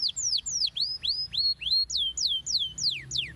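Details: Canary song for encouraging young canaries to sing often. Bright whistled notes sweep steeply downward, about one every quarter second, some rising first and others falling, all clear and loud over a quiet background.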